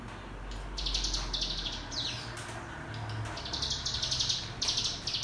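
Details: Hill prinia (cigun) ngebrem song for coaching young birds: short bursts of rapid high buzzy trilling broken by brief gaps and a quick downslurred note, over a low background hum.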